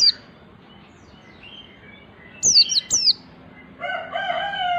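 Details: Learning the nembak delivery, a ngalas white-eye gives two or three quick, high, down-slurred notes; a lower, steady, drawn-out call from another bird follows at the end.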